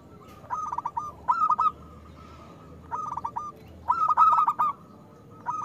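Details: Zebra dove of a local type, meant to stimulate reluctant doves to sing, giving three bursts of short clipped coos that run into purring trills, pauses between.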